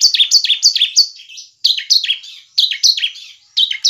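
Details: Bar-winged prinia in energetic 'semi crystal' song, used to provoke other prinias to sing: almost continuous high chirps, each sweeping downward, delivered in rapid groups of three to five with brief breaks.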